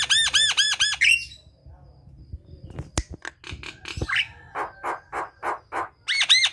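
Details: Javan myna in full song, for prompting silent mynas: fast repeated arched whistled notes, a pause with scattered clicks, then a rising squawk and a regular series of harsh, rasping notes, ending in arched whistles.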